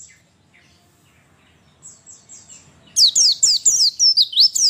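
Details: Female pleci (white-eye) call used to prompt males to sing quickly: soft, thin descending notes at first, then after three seconds a loud burst of fast, high, down-slurred whistles.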